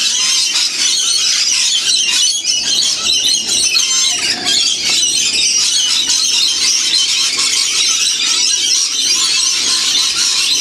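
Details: Lorikeet parrots, wild and feeding in winter at St Clair near Sydney; a steady wall of piercing squeals and harsh chatter from many birds, hardly varying in loudness throughout.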